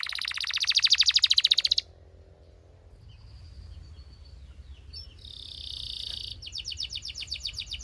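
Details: A Belgian canary, warming up quickly, sings rapid, bright trills and rolls, changing tour every second or two, with a quieter soft passage in the middle before fast buzzy trills resume.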